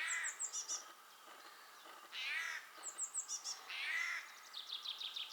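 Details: Eurasian jay recorded in Belarus on a spring morning, 12 April 2020; short harsh rasping screeches alternate with high squeaky chirping notes, several bursts within five seconds.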